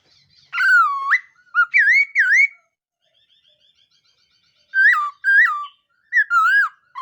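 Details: Loud, ringing whistles from a laughingthrush during morning voice training, delivered in groups of three with sharp upward hooks, then a brief faint trill before the next group.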